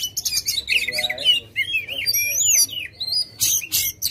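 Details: Aggressive white-rumped shama song for getting a reluctant bird to sing: fast high trills, then a run of rich slurred whistles rising and falling, ending in sharp buzzy bursts.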